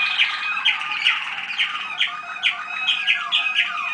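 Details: A 2010-bred Waterslager (Malinois) canary youngster heard at a 25 November 2010 listening session: fast rhythmic song of bright sparkling notes repeated about twice a second over rolling trills, with descending slides between phrases.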